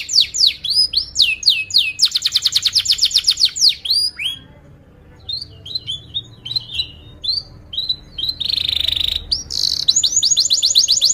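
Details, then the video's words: Long canary lure song for training young birds to learn sounds: quick descending sweeps, a rapid rolling trill, scattered thin chirps after a brief pause, then a rasping burst and renewed sweeping trills. "kenari gacor panjang Cuit Cuit EMOSI, Pancingan Kenari Paud Belajar Bunyi, terapi AMPUH Kenari MACET"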